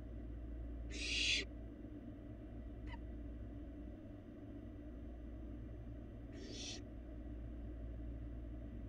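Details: Barn owl fledgling eating in an empty nest box on a live Florida nest camera; two harsh, hissing screeches about five seconds apart, with a faint click between them over steady low hum.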